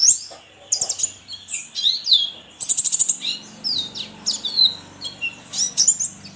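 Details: Contest white-eye kept in a cage, from Sambas, West Kalimantan: quick, piercing twitter phrases with a rattling burst midway, separated by short gaps, over a light background hum.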